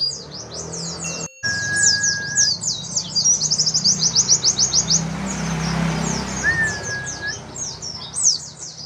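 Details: White-eye in competition-standard song, used as training audio for young birds: a fast, high, twittering stream of sweet chirps, broken by a few clear, level whistles over a low background rumble.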